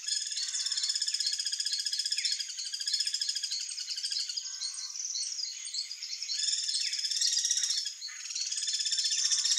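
Guira cuckoos giving harsh alarm calls: fast, dense, high chattering notes from several birds at once, overlapping in a continuous scolding chorus.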